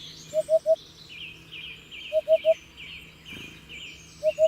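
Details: Hoopoe calling in short bursts of low, even-pitched hollow notes: two triplets followed by a pair. Small birds twitter and chirp continuously higher up.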